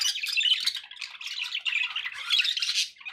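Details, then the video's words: Domestic budgerigars giving a rapid run of chirpy, scratchy warble notes and thin squeaks that rise and fall in bursts, fading at the close, with background noise underneath. "budgie sounds with background noise for relaxation"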